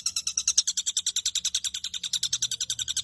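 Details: Caged long-tailed shrike singing a full, varied song used as training material for other caged birds; rapid buzzy-chattering notes repeated about three times a second, high and bright, with a faint low hum underneath.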